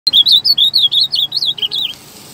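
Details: Azulão (ultramarine grosbeak) singing strongly: a fast run of high, warbled, slurred whistles, each note bending up and down, about a dozen notes in under two seconds before stopping.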